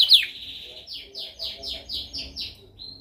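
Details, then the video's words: Canary singing a training song: a sharp opening note and short whistle, then six descending slurred whistles repeated roughly every quarter second, ending in a brief level tone. "Canção mais dominante de canary para treinagem."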